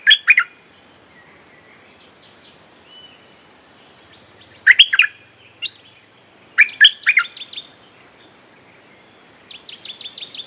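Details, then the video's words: Bulbul song played to lure wild birds: several rapid three-note chirped phrases spaced a few seconds apart, with another bird's fast high ticking trill in the background near the end. "เสียงนกดอกแตงEp.183.ฟังกันยาวๆ เพลงหัดลูกเสอ ใช้เรียกนกป่า Suara pikat merbah lekir gacor"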